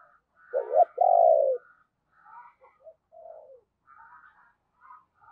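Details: Decoy spotted dove in the morning, calling and cooing to bring wild doves near: a quick paired note and a long falling coo, then a run of soft, scattered coos over several seconds.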